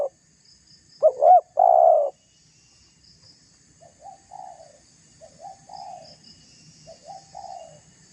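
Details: Low coo of a spotted dove used to provoke rival doves: one loud phrase of two looping notes and a drawn-out coo, followed by three quieter, softer coo phrases.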